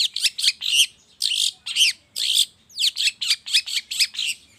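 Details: Long-tailed shrike lure sound played in the morning to make shrikes sing: loud, harsh, buzzy chirps in quick uneven bursts, about two per second, with a short pause mid-sequence.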